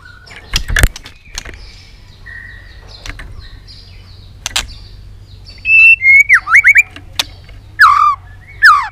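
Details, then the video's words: Excited, tail-flicking White-rumped shama giving dry clicking notes and many-voiced song. Scattered sharp clicks and a soft whistle lead into a quick string of twisting whistled notes and loud downward-curving phrases. "Chòe Lửa tạch đập đuôi kích lửa cực sung. kích chòe Lửa lên lửa sổ giọng.chòe Lửa hót nhiều giọng"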